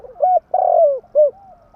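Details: Lure spotted dove, tame, calling a short phrase: a level hoot, a long coo gliding down in pitch, then one rounded closing coo, clean and close.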